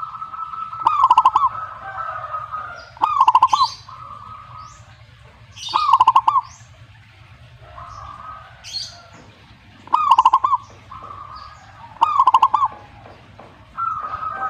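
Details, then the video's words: Zebra dove song given in reply, a soft rolling phrase of quick cooing notes repeated about every two seconds over fourteen seconds, alternating with steady drawn-out tones and high chirps from other birds. "perkutut jika nyaut"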